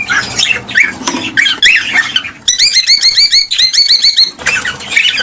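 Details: Cockatiel calls intended to stimulate mating: scratchy squawks open and close the passage, around a crisp burst of rapid, regular upturned chirps, several per second, lasting about two seconds.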